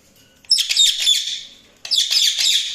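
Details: Budgerigars chirping in two loud bursts of dense, rapid, high chattering chirps and squeaky warbles, separated by a short pause, with nothing else heard in the background.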